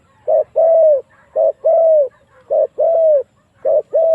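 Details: Spotted dove calls as a lure for wild doves to come and fight: crisp paired coos, a short note then a long falling one, repeated roughly every second.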